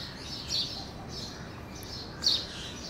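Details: House sparrow perched on a tree branch gives two short, bright chirps about two seconds apart over a steady background hiss.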